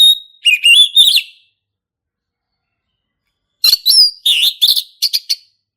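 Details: Song of a male orange-headed thrush, a lure for juvenile birds learning the song: two rapid phrases of slurred whistles and sharp chips, the first rising and warbling, the second a quick run of notes after a pause.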